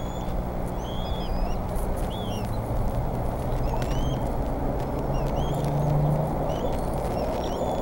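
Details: Wild bald eagle chicks at a nest in Decorah, 4 May 2014, around 3 pm, waiting for food while the adult male plucks a duck; thin, high chirps in short slurred notes, repeated irregularly over a steady low rumble.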